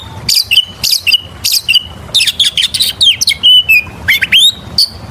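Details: Oriental magpie-robin in lively song used to lure other birds into singing: repeated high notes dropping to steady whistles, then dense chirps and upward-swept calls.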